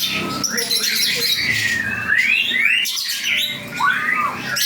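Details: White-rumped shama, 'panda' type, in full song: clear rising whistled slurs and sharp up-swept notes mixed with harsh scratchy chatter, delivered in quick succession against constant background noise.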